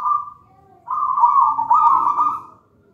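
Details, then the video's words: Zebra dove, a wild-caught local bird taken from a nest in a plantain plant, singing vigorously: a brief rolling coo, a pause, then a longer mellow, trilled, slightly wavering cooing phrase, over a faint low background hum. "Perkutut manggung gacor"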